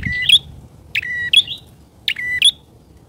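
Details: Lure recording of a bar-winged prinia calling loudly: repeated phrases of a buzzy onset, level whistle and bright rising chip, spaced under a second apart, with a soft thump at the start.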